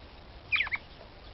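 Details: Red-cowled cardinal female from Brazil calling to excite a male, one brief high call made of a few rapid, downward-sliding notes ending in a short second burst, with low steady background noise.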